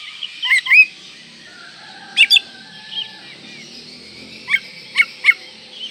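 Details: Oriental magpie-robin singing in breeding condition to provoke rivals: short bursts of sharp rising whistles and chirps spread across six seconds, with faint lower tones and a steady high hiss.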